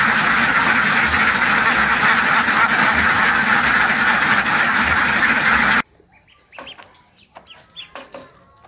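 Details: Many ducks quack densely in overlapping nasal bursts for most of the recording. It then switches abruptly to a quiet scene with a few scattered separate calls.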